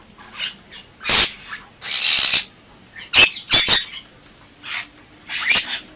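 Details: Bali myna (jalak bali), a white starling-family songbird, giving harsh squawks, a long raspy burst, and quick sharp clicks in irregular sequence, with quieter chatter in between.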